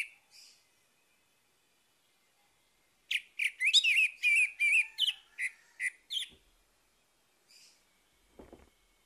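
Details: An orange-headed thrush (Geokichla citrina) sings in the morning, a burst of rich, varied warbling phrases for about three seconds, with quiet gaps before and after and a faint soft tap near the end.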